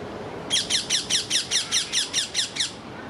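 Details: An excited rose-ringed parakeet in a rose garden making a tremendous fuss, giving a rapid run of eleven harsh, screechy notes about four per second, over steady outdoor background hiss.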